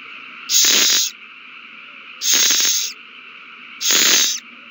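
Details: Owl pair at the nest during a prey frenzy after one bird hands a caught mouse to the other, March 2020: three loud, rasping hiss-screeches, each about half a second long, spaced under two seconds apart, with constant background hum.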